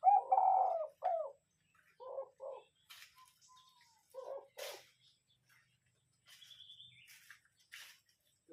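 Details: Lure spotted dove cooing: an opening long, hoarse, rolling coo followed by clipped double notes repeated in quick pairs, then quieter, with a few faint high chirps and light rustling between phrases.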